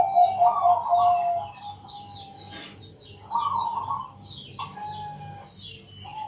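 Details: Zebra dove of the Bangkok type singing at night to draw other doves into song: rolling, vibrating coos in two bursts, with faint higher chirps of other birds and a low pulsing hum behind.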